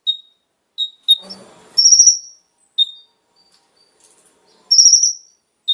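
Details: Konin (kolibri ninja) song played to stimulate captive birds to sing: short high whistled notes alternate with longer buzzy trilled phrases, a brief low rustle near the start, otherwise quiet gaps.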